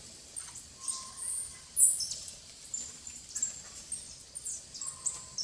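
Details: Plain parakeets (Brotogeris tirica) eating banana at a bird feeder in an Atlantic Forest reserve at Guaramirim, Santa Catarina, Brazil, 17/06/2022, give thin, shrill high chirps in short irregular bursts, with a few lower tonal notes.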